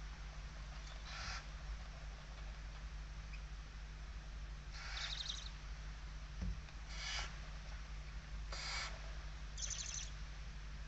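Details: Barn owl inside its nest in Spain on 16 November 2023, the mother watchful with a kestrel close to the nest; several harsh, hissing bursts of about half a second, irregularly spaced, over a steady low hum.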